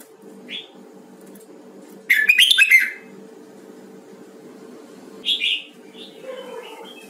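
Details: Red-whiskered bulbul, Huế variety, in a voice-training session: a short high note, a loud tumbling phrase of clear warbled whistles, then a shorter bright phrase with soft lower notes after it, against a steady low hum.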